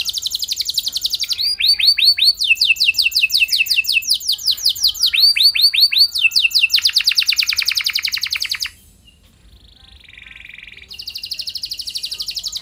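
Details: Canary in long, lively song meant to prompt other canaries to sing along: repeated falling whistles and fast chirp series for several seconds, a quiet low warble, then a high buzzy roll.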